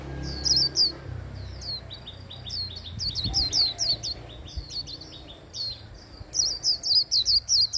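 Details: Hand-held Japanese white-eye giving líu-style song meant to spur other birds to sing; high sweet twittering notes, fast runs of sliding chirps building toward a dense rapid burst at the end, soft low rumble beneath.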